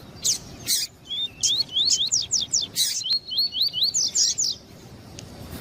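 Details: Double-collared seedeater song meant to excite a male, a female calling too: high bursts, then two runs of quick upslurred whistled notes, roughly two per second, ending in buzzy phrases.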